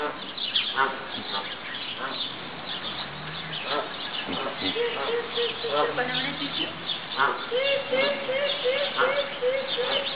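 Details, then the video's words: A large flock of geese at an apartment complex in Columbus, Ohio, giving overlapping harsh honks through most of the stretch, ending in a steady run of repeated nasal honks about twice a second. "Geese, geese, and more geese"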